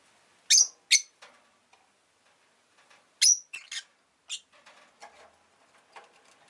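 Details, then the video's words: Rosy-faced lovebird kept as a pet, uttering piercing high chirps in pairs and short groups separated by quiet gaps, with soft clicks and faint household noise. "Lovebird Chirping Sounds"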